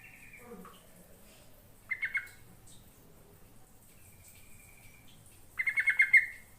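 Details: Yellow-vented bulbul singing, played to lure birds into responding: a short bubbly phrase, a thin level whistle, then a longer rapid string of liquid, chattering notes, with faint lower calls at the start.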